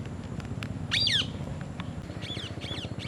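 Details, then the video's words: Parrot eating an apple among other parrots: one loud harsh squawk with a bent, warbling tone, then softer squawks, over constant low engine-like rumbling. "Parrot Eating Apple and others parrot natural sound"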